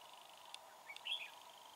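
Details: Wild red-whiskered bulbul fighting a decoy bird at a trap: one short, sharp chirp that slides up and down around the middle of the clip, with a faint steady background hum and a couple of soft clicks.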